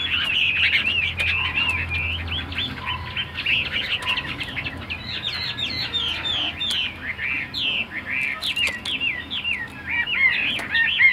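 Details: Captive Chinese hwamei singing a long, rambling stream of bright whistled and warbled notes, loud and varied, with a low hum and occasional clicks behind it.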